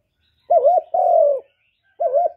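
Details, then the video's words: Cooing spotted dove used to lure wild doves to the trapping spot, no background noise: a wavering two-part note, a long smooth coo that slowly falls, then another wavering note. "Cu gù cực hay kéo bổi về tàng"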